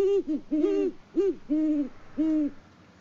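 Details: Two great horned owls, a mated pair watched by farm live cam in Peabody, Kansas, trading hoots in February: a string of low booming hoots, short ones mixed with longer drawn notes, about five in three seconds.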